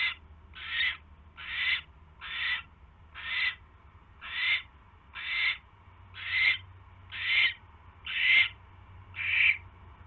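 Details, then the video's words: Owl at a nest during a mouse delivery, evening of 29 January 2016: evenly spaced, loud, breathy screeching hisses about once per second, each swelling and then cutting off. "Mouse Delivery"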